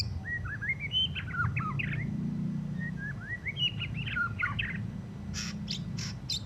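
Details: A white-rumped shama fresh from moulting delivers rough ngeriwik chatter: two bursts of rapid slurred whistles and downward-sweeping notes, followed by several sharp, noisy clicks near the end, over a low rumbling background.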